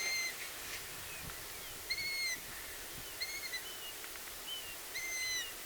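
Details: Long-eared owl chicks, at least two, calling in the wild during a BirdWatch Ireland listening outing: four short, high squeaky notes, each like an unoiled gate, roughly every second and a half, with fainter answering squeaks between them.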